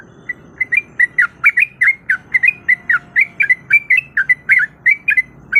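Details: Sooty-headed bulbul female in breeding condition calling a male: fast, even string of short squawky notes repeated several times per second, loud and steady throughout, with a low faint hum underneath.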